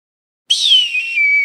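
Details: Eagle with one loud, shrill, whistled cry that falls in pitch, then levels off into a thin, sustained note for the rest of the second.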